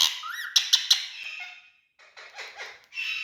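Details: Indoor male Indian ringneck parakeets: a drawn-out harsh squawk broken by three sharp clicks, a brief silence, then scratchy bursts and a final strident screech.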